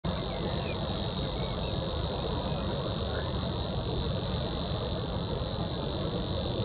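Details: Savi's warbler reeling a fast, even, insect-like buzz held without a break at one mid-high pitch, over a low rumble of wind or distant noise; recorded in April 2023 in Upper Silesia.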